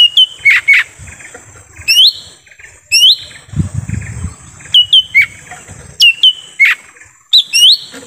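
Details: Wild-bird lure of lesser green leafbird in forest: repeated loud whistles, rising then falling, in pairs and triplets roughly every second, with a brief low rumble midway.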